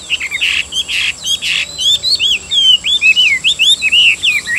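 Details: Caged Chinese hwamei, a bird for sale noted for its good song and stocky build, opens with three harsh rasping notes, then pours out fast varied whistled phrases of looping up-and-down slurs.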